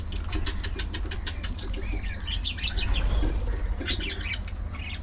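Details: Colony of budgerigars socializing: rapid clicking and ticking notes at first, then warbled chirps around two seconds and again near four seconds, over a low rumbling hum.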